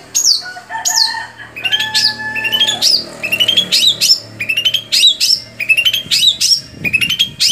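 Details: Long-tailed shrike song played to stir other shrikes: a varied mix of high downslurred squeaks, rattling clicks and a few longer level whistles, delivered in quick succession.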